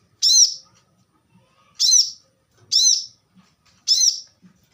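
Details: Four separate high, sharp, slightly descending chips from a plain-throated sunbird, spaced roughly one second apart with silence between.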